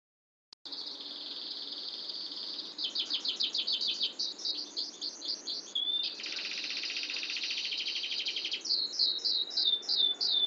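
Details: Canary singing a long rolling song, clear and tight, high and sweet: after a brief silence, a series of quick notes, a dense fast trill around the middle, then short downward-slurred whistles repeated at the end.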